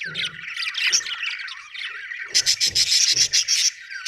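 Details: A happy budgerigar chirps in a busy, scratchy warble, then breaks into quick, sharp repeated chirps.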